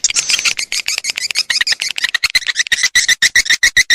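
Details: Swiftlet lure call of the style called SP Raja Kalimantan, billed as an original sound from Borneo and used to attract swiftlets: dense, fast chirps in quick succession, settling into sharper clicking notes repeated about four times a second.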